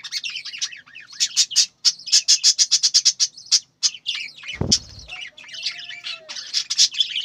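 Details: Loud, rapid budgerigar chirps in quick pulsed runs of sharp high notes, broken by a soft thump midway, then more scratchy warbling chatter from the flock.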